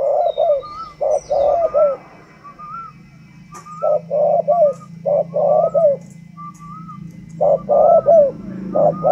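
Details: Spotted dove with the northern Vietnamese 'thunder voice' style, a captive bird, gives loud, deep coo phrases of two or three rolling notes, repeated at intervals of about a second or two, with a high thin whistle and a low hum behind.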